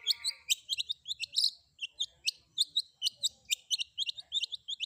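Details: Combination fill-in song of a long-tailed shrike (cendet): continuous quick twittering of sharp, squeaky chirps and clipped notes, a short high squeal early on, delivered at a steady, chattering pace.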